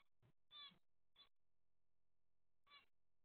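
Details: Zebra finch in daily life: three short, faint, nasal calls, each a stacked harmonic note, spaced irregularly over a few seconds, with near silence between them.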